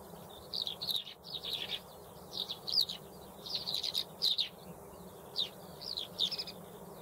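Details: Eurasian skylark song: bursts of high chirping, trilled phrases clustered in a narrow high band, broken by short pauses, over a steady low background hum.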